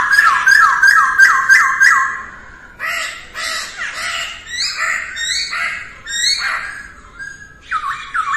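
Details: Early-morning voice training by a masked laughingthrush: a fast run of rising whistled notes, then varied loud ringing phrases separated by short pauses.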